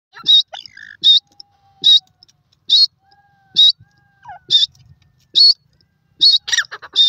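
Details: A francolin, called Irani or Dakhni teetar partridge, gives loud, sharp, high notes repeated steadily about every 0.8 seconds, with softer chirps and faint twitters in between.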